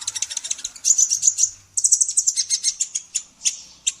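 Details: Actively singing female olive-backed sunbird, recorded as training material for songbirds: a dense, shrill twittering run of fast high notes with a short break midway, then further rapid chirps.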